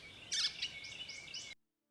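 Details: Gray Catbird, a North American species with no sexual dimorphism (females sing too, lower), gives a harsh, scratchy burst, then a quick run of short squeaky, varied phrases over a faint steady high whine.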